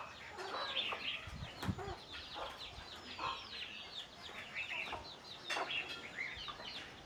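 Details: Hen clucking a low 'kuk kuk' to call chicks to their food, a few deep clucks scattered among dense, high, falling peeps from the chicks and some faint scuffling.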